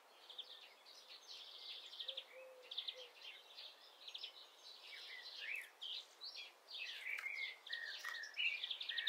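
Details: Common starling (Sturnus vulgaris) in mid April, planning to occupy a woodpecker's nest hole, sings a busy, rambling medley of high whistles, buzzy rattles and clicks, slurred notes tumbling together, with a faint low hum behind.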